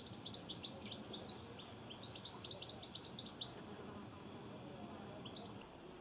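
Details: Goldfinches visiting a garden bird bath in Cornwall, 23 September 2014, utter bright, tinkling high-pitched twitters in two lively runs, the second starting near two seconds, with a lone chirp late on over faint outdoor hiss.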